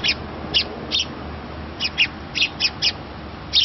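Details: Sparrow fledgling begging food from a parent during feeding; about nine bright, squeaky chirps, each a quick double note, spaced roughly every third to half second.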